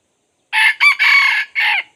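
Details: Red junglefowl crowing while a decoy is used to lure wild junglefowl: one loud, harsh crow in four parts, a short note, a broken middle note, a long sustained note and a falling final note, over silence.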